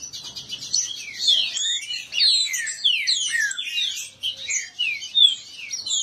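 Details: Male green-winged saltators kept together and disputing. Brief rapid ticking opens, then a crowded run of bright descending whistles and quick chirps overlaps continuously to the end.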